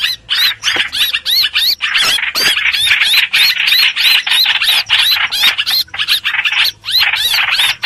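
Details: Lure recording of a streak-eared bulbul used to trap birds: fast, chattering, slurred notes, many short upward-bending whistles packed together in steady runs, with brief gaps and a faint low hum.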